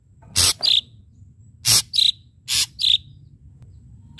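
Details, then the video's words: Vocal ashy drongo giving sharp-note lure song: loud harsh, rasping bursts, each followed closely by a short buzzy note. The pair is repeated three times over about three seconds. "srigunting abu abu gacor PANCINGAN PUKULAN TAJAM"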